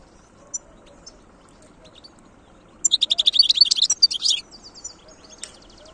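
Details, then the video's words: A wild European goldfinch sings: after a few isolated chips comes a fast run of bright, rattling twitter notes lasting about a second and a half, then a thin buzzy trail. "تغريد حسون خلوي"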